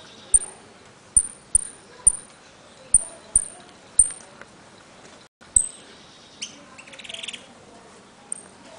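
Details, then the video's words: Jilguero (saffron finch) from Trenque Lauquen, 'El Correntino' song: a run of about eight quick high piping whistles with clicks, then a pause and a few softer, scattered notes. "JILGUERO AUDIO "EL CORRENTINO" ( repique, golpe y pitadas)"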